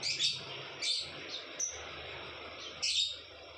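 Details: Lovebird calling in the style known locally as ngekek, a long chattering song, used as a tutor recording: sharp, high shrill chirps in short bursts near the start, middle and end, with a faint steady hum beneath.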